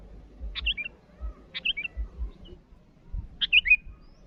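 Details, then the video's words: Sooty-headed bulbul calling out to rivals with three brief chirpy, slightly burbling phrases, the last one louder and more tumbling, set over steady low-pitched background rumble. "Suara burung Kutilang Gacor memanggil lawan"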